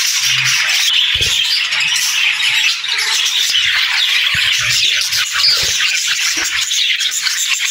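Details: Budgerigars chirping and singing in an ongoing flock warble of quick chirps and squawks, punctuated by scattered low thumps.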